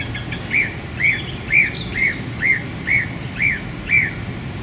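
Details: A male song thrush pours out song in a small London park on a bright January day, one arched whistled note repeated eight times at an even pace, about two per second.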